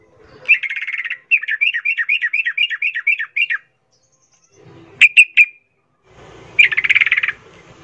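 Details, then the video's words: Sooty-headed bulbul call meant to make other bulbuls respond noisily: a long run of evenly spaced, dipping chirped notes lasting about three seconds, then a short burst of sharp notes and a harsher chattering phrase over faint background noise. "10 macam suara panggilan trucukan gacor PALING AMPUH BIKIN LANGSUNG NYAUT RIBUT trucuk lain"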